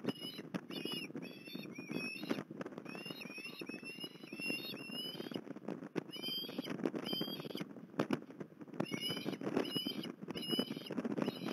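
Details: Repeated piercing whistled yelps from an osprey at Port Lincoln, 21 December 2020, coming in bursts throughout, each note slightly rising and strongly overtoned, with steady crackling patter underneath.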